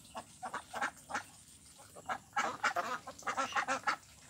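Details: A mixed flock of Mandarin ducks, mallards and Pekin ducks: scattered nasal quacks in the first half, then a denser run of loud overlapping quacks from about halfway on, over faint background hiss.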